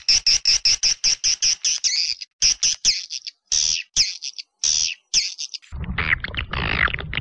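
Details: Edible-nest swiftlet lure sound in the PJW Old style, meant for old or new swiftlet houses: rapid series of high, sharp twittering chirps, then irregular longer buzzy chirps with gaps, ending in a dense noisy chatter.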